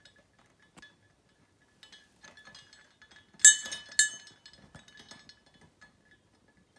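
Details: Indoor clinking and jingling of a small bell, sparse light taps building to two loud bright ringing bursts near the middle, then fading into scattered soft knocks in a quiet room.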